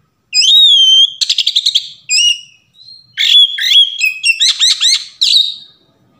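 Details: Varied Oriental magpie-robin song played as a lure to trigger singing: clear rising whistles alternate with rapid rattled trills and sharp downslurred chips, then a final buzzy note, across about six seconds.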